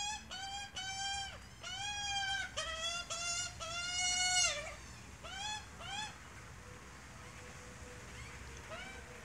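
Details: Australian magpie, adult with chick: rapid nasal squawks, several long and slightly falling at the end, over the first six seconds, then a few weaker calls and near quiet.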